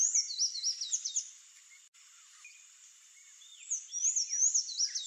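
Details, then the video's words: Palm tanager (Thraupis palmarum) song: rapid, high, squeaky twittering notes sliding up and down, in bursts at the start and end with a quieter gap between. "CANTO do SANHAÇO-DO-COQUEIRO"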